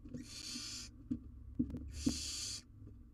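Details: On a live nest cam, a wild barn owl owlet tries to swallow an oversized jird. Two rasping, breathy hisses, each lasting about half a second, with soft thumps and scratching between them.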